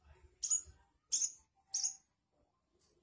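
An Oriental magpie-robin gives bright, high, scratchy whistled phrases, three bursts about half a second apart, then a softer fourth; a faint low rumble underneath.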